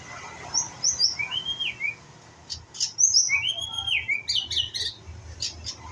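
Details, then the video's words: White-rumped shama, a young bird learning to sing: high clear whistled notes and slurred rising-falling phrases in two bursts, with brief sharp chips and a faint low background hum. "murai batu pastol belajar bunyi"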